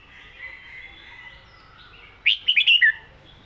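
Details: Red-whiskered bulbul kept in a cage, singing in the southern song style: one bright phrase of four or five rapid, slurred whistled notes after a stretch of faint, distant bird chatter.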